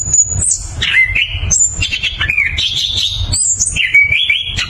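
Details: Orange-headed thrush (anis kembang) singing in the continuous ngeroll style, powerful and clear: high thin whistles sliding down into fuller warbled phrases, quick changes of pitch with short buzzy notes, over a low background rumble.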